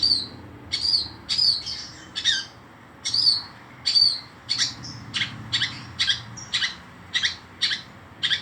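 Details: Long-tailed shrike singing energetically: a rapid series of high, sharp chirps and clipped whistles, some doubled, coming roughly twice a second and speeding up toward the end against a faint low background hum.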